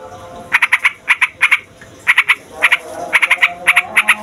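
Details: Yellow-vented bulbul, a fighter bird, giving noisy song meant to provoke other songbirds: short clusters of two to four quick, harsh nasal notes, spaced irregularly with quiet gaps.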